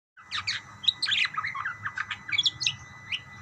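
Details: Budgerigars calling back and forth, a busy stream of short warbled chirps and squeaky notes overlapping in quick succession, with a faint low hum beneath.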